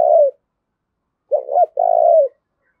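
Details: Spotted dove used as a decoy bird, cooing to urge fighting: low hollow coos near 600, a trailing phrase, a gap, then a two-note opening and a long purring coo.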